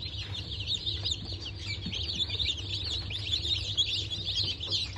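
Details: Newly hatched chicks of Brahma, İspenç and dwarf Cochin types from a hatch on 19 November 2024, a dense chorus of high, thin overlapping peeps under a steady low hum.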